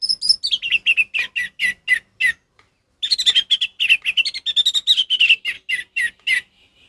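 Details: Orange-headed thrush singing in ngeplong style, used as a tutor recording for a captive thrush that has stopped singing: fast runs of sharp chirped notes sliding down from high to mid pitch, a short pause, then another dense burst.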